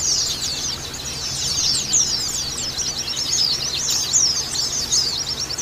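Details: Female white-eye calls used to raise breeding drive in caged males: continuous rapid high twittering of thin downslurred notes, dense and unbroken, over a faint low hum.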